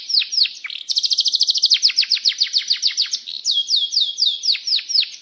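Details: Canary singing a long, rolling song used to prompt other canaries to sing: quick high downslurred notes, then a fast buzzy trill, then more downslurred notes and rolling phrases.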